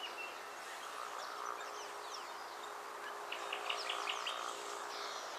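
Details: Northern fiscal (Lanius humeralis) calling at Naro Moru River Lodge, Kenya: quick, thin, downslurred notes in loose bursts clustering toward the end, over a steady low hum and hiss.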